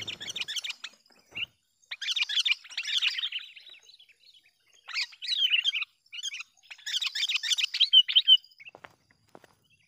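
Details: Sooty-headed bulbul lure call, used to draw in and provoke wild bulbuls: bursts of bright, rapid chattering notes, each lasting about a second, with short silences between and a few isolated clicks.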